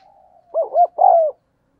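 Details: Eager, frequently calling decoy spotted dove used to lure wild birds: a soft lead-in murmur, then a crisp three-syllable coo, two quick rounded notes and a drawn-out, gently falling final note.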